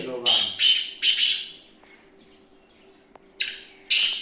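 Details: Black francolin (kala teetar) calling: three rough, rasping bursts in quick succession, a quiet gap, then two more harsh notes, the first opening with a thin whistle.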